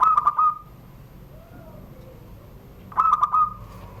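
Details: ['A zebra dove from Serang, Banten, kept in a private collection, sings the classic Surung Gdor coo beneath a doorway. A quick run of clipped notes ends in a ringing trill, and a matching phrase follows after about three seconds.']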